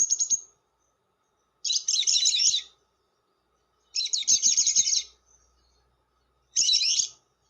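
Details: Long lovebird chatter used as a lure: extended grating, trilled phrases about a second long, repeated roughly every two to three seconds, with faint hum beneath.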